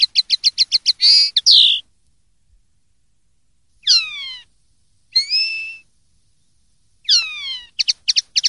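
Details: Common linnet song in clean form: a fast run of repeated clipped twittering notes, then separate sharp descending whistled phrases and a buzzy slurred note, followed by long silences and another burst of rapid twitters, with no background noise.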